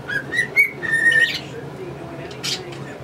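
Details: Pet male cockatiel whistling a tune beside a pair of English budgies. A few clear whistled notes open the clip, followed by a quieter stretch with brief scratchy chatter.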